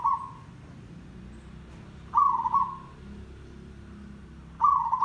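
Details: Zebra dove in tandang style, a lure song for trapping, giving trilled, rippling cooing phrases near the start, middle and end, separated by about two and a half seconds of low background noise.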